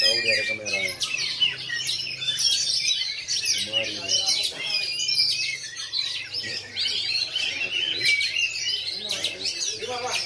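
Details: Oriental magpie-robin, black form, performing in bowing style at a routine practice singing contest in Lhokseumawe, 9 January 2022; continuous jumbled high whistles, chirps and trills from several birds, with brief voices of people at the start.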